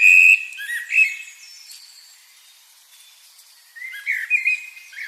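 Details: Bird chirping: loud, clear whistled chirps and short warbling phrases come in bursts at the start and again after a quiet middle stretch, with faint high twitters from other birds behind.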